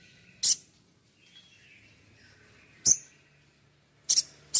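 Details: Sparse, piercing high chirps of a crimson sunbird from a training recording, three single notes spaced more than a second apart, with a faint soft twitter between them.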